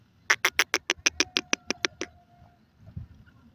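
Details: Rapid clattering series of about a dozen loud, dry chucks from a partridge in grass, followed by a faint drawn-out tone and quiet low background noise.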